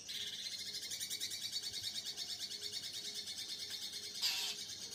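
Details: A young captive long-tailed shrike, a songbird that has only recently moulted out of its juvenile spotted plumage, gives a dense, rapid, high-pitched chattering song without pause, with a brief louder burst near the end over a faint low humming tone.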